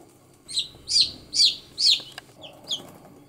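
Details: One-day-old baby chickens outdoors on green ground, heard as five loud, high, slightly rising peeps about half a second apart, then two softer peeps after a short pause.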